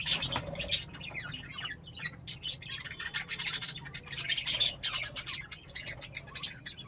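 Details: Budgerigars from a second breeding clutch chatter with rapid, scratchy high chirps and squawks in overlapping bursts.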